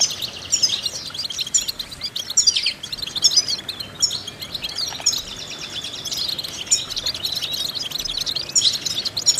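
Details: Goldfinch training song: high, jangling twitter in phrases of fast chirps and buzzy trills, separated by short lulls, over light background hiss.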